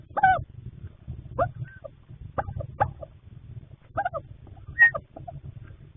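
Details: Barred owls at a nest box at night in March, the male bringing late snacks to the female sitting on three eggs; short harmonic hooting and squealing notes in scattered bursts about a second apart over a low steady hum.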